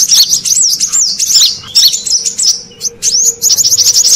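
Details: Indonesian lure recording of the Brown-throated sunbird for attracting wild birds: quick high twittering chirps and slurred whistles, a brief lull, then a fast rhythmic series of sharp notes.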